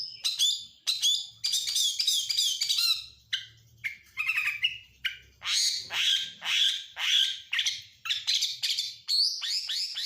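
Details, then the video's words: Kacer, or Oriental magpie-robin, in a training song full of borrowed phrases from lovebird, canary and prinia. It gives quick high chattering bursts, then a run of swelling rasping notes repeated about twice a second. "Masteran burung KACER FULL ISIAN | Kacer Nasional isian lovebird kenari prenjak"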